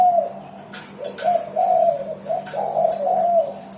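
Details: Lively spotted dove cooing, used to encourage pet birds to sing: a quick run of soft, low notes, the final ones longer and slightly wavering, with sharp knocks and a steady low hum behind.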